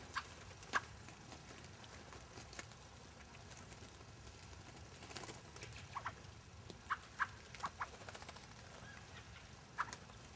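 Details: Fieldfares recorded at Lee Common on 9 February 2012: quiet, clipped chack notes come at irregular intervals, a few close together near the end, over a low constant background hum.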